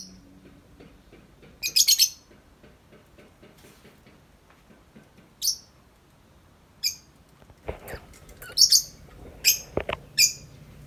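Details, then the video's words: Tame lovebird outside its cage giving 'ngetik' chatter: scattered high, scratchy chirps among faint ticking clicks and a few knocks, growing busier near the end. "Lovebird Jinak Ngetik Panjang Nonstop 10 menit di luar Kandang"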